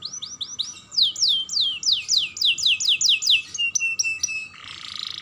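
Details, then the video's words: Young canary song used to stimulate other canaries: steady downslurred whistles about four per second, short flat notes, and a closing buzzy rasp. "Pancingan Kenari Muda Gacor Dor || Pancingan Kenari Paud"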